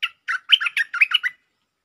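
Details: Lure recording of a bulbul in the 'Chao Bank' song style with doubled notes. Seven bubbly, liquid notes tumble out in a brisk run lasting just over a second, with nothing else audible.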